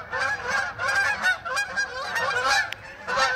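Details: Flock of Canada geese flying over a neighborhood, coming back home; loud bursts of honking in clustered groups, several birds calling at once with short pauses between bursts.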